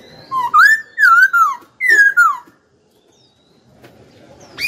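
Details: Hwamei kept as a cage bird and said to sing often: five loud, pure whistled phrases in quick succession, each swooping and sliding downward, then near silence with faint background rustle.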